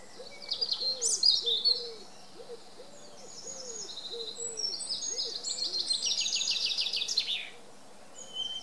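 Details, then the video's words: Male common chaffinch singing in the early morning: high, rapid descending trills that end in a flourish, with sharp high chirps beforehand and a soft, low hooting repeated in the background. "Chaffinch singing"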